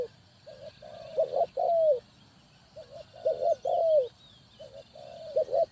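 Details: Cooing spotted dove used as a trap decoy in Ninh Thuận: soft paired hoots building to a stressed, drawn-out coo that falls in pitch, phrase repeated about every two seconds; distant bird chirps.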